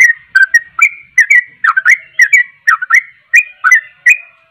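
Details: Sooty-headed bulbul delivering quick, paired and single whistled notes, loud and clear, bending sharply up and down, about two to three each second.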